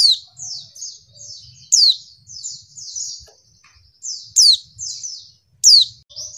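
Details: Female white-eye, whose call is played to stir males into calling quickly: high, buzzy, wavering note strings interrupted three times by sharp, piercing downward-sweeping notes, over a faint low rumble.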